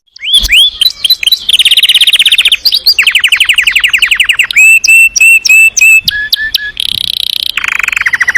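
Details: Energetic canary song, ngerol nembak style: rapid chattering rolls shifting pitch, sharp repeated whistled notes in pairs, then high buzzy and lower rolling trills, rich and nearly unbroken.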